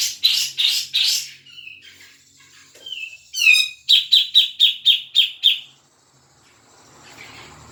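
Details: Grey-cheeked bulbul, played so a caged bird will start singing: a few harsh chattering bursts, soft whistled notes, a tumbling downward trill, then a rapid string of seven sharp chips.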